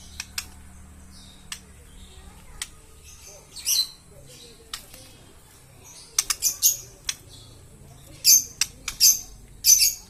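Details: Green lovebird calling in shrill, high squawks and clipped chirps, grouped in rapid bursts of two to four notes separated by short pauses.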